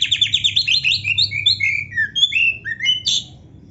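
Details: Active Oriental magpie-robin song with canary-type fill-in phrases: rapid high twittering at the start, followed by a series of short slurred whistles falling and rising in pitch.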